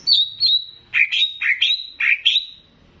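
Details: Greater green leafbird from Banyuwangi, bebeci-style master for stirring emotion: a series of clear whistled notes, some sliding down and others dipping and rising, delivered in quick pairs over about three seconds.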